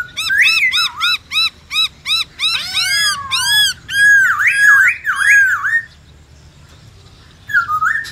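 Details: Forest-voice, many-voiced White-browed laughingthrush song: about ten short clipped notes at a steady beat, arching squeaky calls, three looping whistled phrases, a pause and a last phrase.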